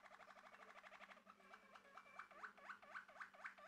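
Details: A male Malinois Waterslager canary sings a fast rolling trill, then slows into liquid, bubbling notes that dip and rise about four times a second.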